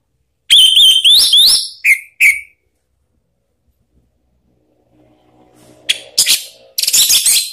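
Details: Orange-headed thrush calling to prompt other birds to sing: a quick string of rising and falling high whistles with a couple of short clipped notes, then silence, then fainter rustling and harsh bursts near the end.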